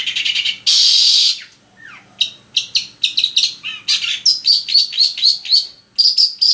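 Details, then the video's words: Energetic long-tailed shrike song used as a lure to set other shrikes singing. It opens with a loud harsh rasping burst, then quick chirps and a run of clear, repeated high whistled notes at a steady pace. "PANCINGAN SUARA CENDET GACOR"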